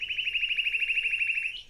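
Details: A Dark-eyed Junco in Newfoundland sings a fast, even trill of high, identical notes, about eleven a second for a second and a half, ending on a slightly higher note.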